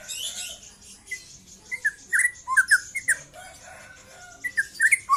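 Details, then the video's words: Trotol song from a young white-rumped shama: after a faint hissy start, sharp whistled chirps and slurred notes come in quick clusters, pausing, then resuming near the end. "KICAU BURUNG MURAI MUDA LEPAS TROTOL"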